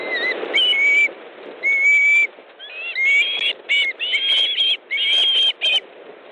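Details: At an Estonian osprey nest on 18 August 2014, the male arriving with a fish for the female; thin whistles, then a growing series of short, loud piping whistles in uneven bursts.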